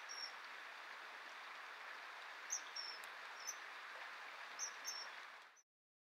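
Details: Courting common kingfishers, the male offering a fish the unhungry female refuses: a few brief piercing high whistles, some in quick pairs, over steady rushing noise that cuts off abruptly near the end.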